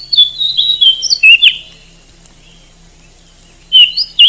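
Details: Oriental magpie-robin, a popular contest bird in Indonesia, singing loud clear whistled phrases that slide and twist, with a bright rising note near 1.5 seconds, a pause of about two seconds, then more sharp whistles.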